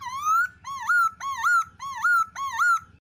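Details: Black-throated laughingthrush female calling alongside a male, played to stimulate other birds to sing: five rising, whistled phrases with bright overtones, each slurring upward and repeating about every half second over a faint low rumble.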